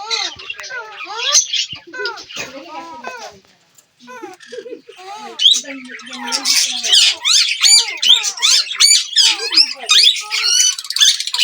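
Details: Several Indian ringneck parakeets, kept as talking parrots, calling together: dense bursts of shrill, squawking chatter with many rising and falling whistled notes, a brief pause near the middle, then continuous noisy overlapping calls.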